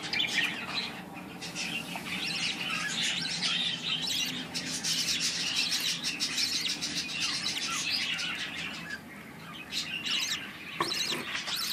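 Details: Budgerigar chicks, newly hatched, bred in captivity, giving dense rasping, scratchy squawks in overlapping bursts, with a short pause near the end before the calls resume.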